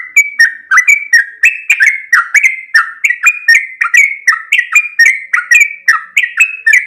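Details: Trucuk kebo, a yellow-vented bulbul, singing loudly: a steady run of short, bubbly, chirping notes that jump up and down, about two to three per second, with no other sounds.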